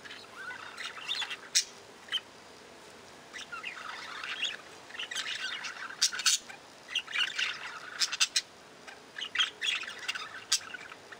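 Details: A flock of budgerigars chattering and squawking continuously: dense, scratchy warbles and sharp chirps overlapping throughout, with louder harsh squawks scattered through, several birds calling at once.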